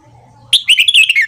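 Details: Red-whiskered bulbul morning song, used to train and stimulate newly caught birds: one short, loud phrase of rapid, warbled, slurred whistles lasting under a second after near silence.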